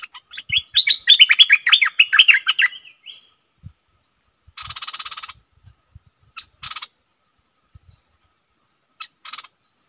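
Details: Decoy bulbul singing at wild birds: an energetic two-second run of quick, slurred whistled notes, followed by a buzzy rasp, scattered faint clicks and short rasping sounds.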